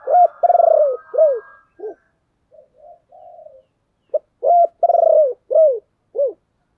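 Spotted dove cooing in two phrases of about five soft, low, hollow notes, with longer slurred coos mid-phrase and a quieter murmur in between.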